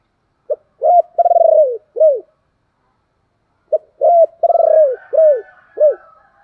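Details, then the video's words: Spotted dove cooing, a recording played to draw wild doves into cooing back: two phrases, each a short note, a coo, a long purring rolled coo sliding down, then two falling coos, separated by about a second and a half of silence; faint thin tones at the end. "chim cu gáy"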